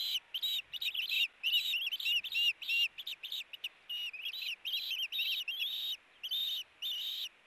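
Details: Two ospreys at a nest, caught by a nest camera on 8-4-18 during a tug-of-war over a fish, give rapid high whistled chirps in dense runs, several notes a second, with brief pauses between bursts.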